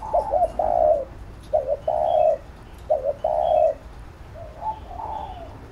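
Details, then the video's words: Spotted dove calls insistently to train another bird: loud low coos in quick succession, each a stuttered double note run into a long mellow coo, three phrases then softer trailing notes, with faint chirping behind. "Cu Gáy THÚC GÙ Siết Bổi Đẳng Cấp/ Kích Mồi Tập Bổi Căng Đét"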